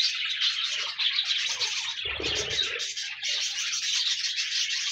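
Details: Continuous scratchy warbling from a group of pet budgies, a steady high chatter with a short low rumbling burst midway, played so a lonely pet budgie will sing.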